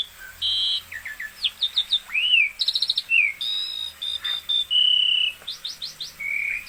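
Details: Asian pied starling singing vigorously: a varied run of clear whistled slurs, a rising then falling whistle, rapid buzzy trills and drawn-out high notes, delivered in quick bursts with short gaps.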